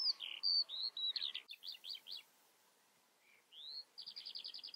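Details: Eurasian skylark singing bursts of high warbled notes and quick repeated trilled chips, a brief pause, then a rising whistle leading into a rapid rattling series of short notes.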